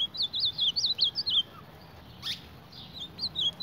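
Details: Ultramarine grosbeak facing its reflection in a mirror: a brisk sequence of looping high whistles, a silent gap with one faint sweep, then a few more notes.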